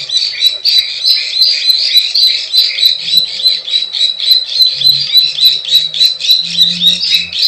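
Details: Plain prinia sound for luring wild birds: rapid, continuous buzzy and scratchy notes in a rhythmic chain, with high ticking clicks and a faint low hum at times.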